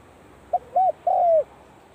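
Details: Spotted dove practising its call at the start of the cold season: a short clipped coo followed by two longer, mellow, slightly descending coos, the last one drawn out, over faint background hiss.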